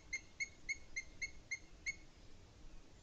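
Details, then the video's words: Booted eagle in the Sierra de Guadarrama on 20 May 2021 at 07:40 in the morning: a run of seven clear piping whistled notes, evenly spaced roughly a third of a second apart, then quiet with a low background rumble. "Águila Calzada"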